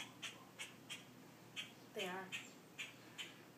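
A grackle gives short, dry chack notes, about eight in under four seconds at an uneven pace, with a brief human voice partway through.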